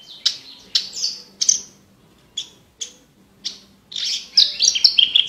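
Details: Horsfield's bush lark, a chatty songbird recorded as tutor material for competition birds, with a clear, crystal voice: short bright chirps and slurred whistles in separate bursts, then a dense run of rapid high notes near the end.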